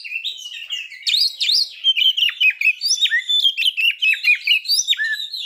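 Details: Oriental magpie-robin singing to provoke breeding condition and aggression in other birds. Varied whistled notes with dipping and rising slurs follow one another rapidly, starting softly and growing louder.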